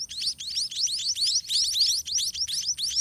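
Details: Shrill, rising chirps from white-rumped munia babies as a parent regurgitates food into the nest, packed close in a rapid, pulsing chorus.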